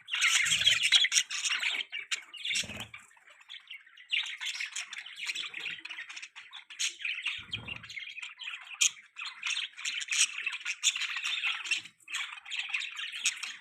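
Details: Baby budgerigar perched on a person's hand gives steady, scratchy high chirps and chatter, rapid and nearly unbroken for the whole stretch, with a few soft low thumps from handling.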